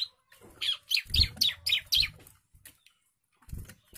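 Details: Young bar-winged prinia in agitated song: a short run of about six high, slurred, descending chirps, followed by silence and a couple of isolated faint notes, with low thumps underneath.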